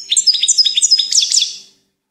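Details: Goldfinch twittering in a quick, lively stream of sharp chirps and sliding liquid notes that ends after under two seconds.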